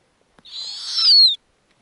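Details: Snowy owl owlet on its Arctic nest during feeding by its mother, which tears lemmings for the young. A single drawn-out rasping screech, swelling in loudness and ending in a thin falling whistle, after a faint tap.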